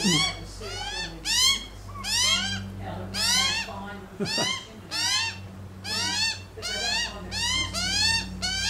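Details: Australian magpies on a lawn eating bacon: loud, insistent upward-slurred nasal calls repeated in quick pairs and runs, with one lower rough note midway.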